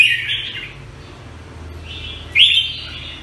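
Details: Red-whiskered bulbul, the jambul of Singapore: a mellow whistled phrase, a long quiet gap, then a sharper rising note running into a sustained warble, with low background hum.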